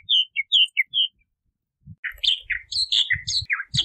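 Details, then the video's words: Bahama mockingbird song phrases: a few clear slurred whistles with pauses, followed by a dense jumble of varied high chirps and buzzy notes with faint low thumps underneath. "Bahama Mockingbird Song! Bahama Mockingbird Voice! - Sinsonte De Bahamas Canto - Mimus Gundlachii"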